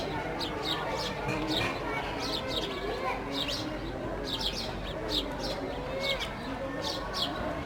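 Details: Sparrows playing and feeding on a loaf of bread, giving short, sharp, high chirps in irregular bursts over a steady low background rumble.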